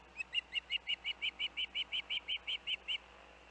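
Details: Osprey calling around the Hellgate nest with the young on 23 August 2024: fifteen clipped, whistled chirps repeated quickly and evenly over three seconds, then quiet with faint background hum.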